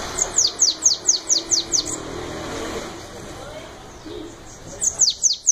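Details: Bananaquit singing the song style called belga: a fast series of about seven high, thin notes, each sharply sliding downward, delivered at roughly five per second. A quiet pause follows, then the high, descending notes start again.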